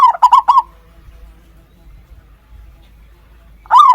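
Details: Zebra dove singing while brooding chicks, on the second day since the chicks were found: a loud burst of rapid, rolling staccato coos near the start, then quiet, then another rolling phrase starting at the end.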